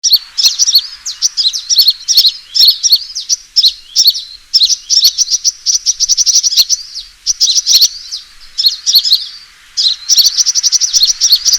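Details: Sunbird fighting call used as a trapping lure: dense bursts of thin, high twittering chirps and fast trills, broken by short pauses and sometimes merging into a steady buzzy rattle near the end.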